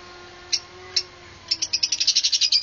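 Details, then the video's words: Lovebird (Agapornis) gives two shrill, high chirps, then a fast run of about a dozen sharp chirps that quicken toward the end, over a faint low hum. "Sound Love Birds"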